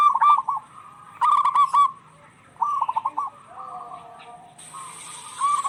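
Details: Zebra doves of a local strain trade short bursts of quick rolling coos, used to stir stressed, quiet birds into song. A steady thin high whine enters near the end.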